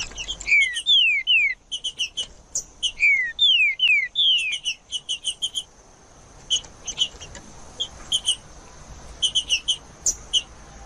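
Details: Green-winged saltator song, used to stimulate captive birds: a wild bird in the bush repeats phrases of clear whistled notes sliding down, alternating with short high chips, steady faint hiss behind.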